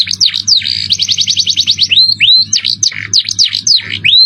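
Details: Canary singing 'cengkok mewah' style, a buzzy downward note leading into a quick rolling trill of about ten chips per second, then rising whistles alternating with sharp sweeping notes, over faint hum.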